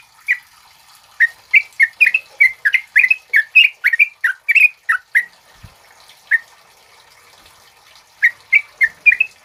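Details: Chatty male yellow-vented bulbul (trucuk kebo), used to train and stimulate other birds, gives a rolling series of rich, gurgled notes for five seconds. After a short gap it returns with a few more phrases over faint background hiss.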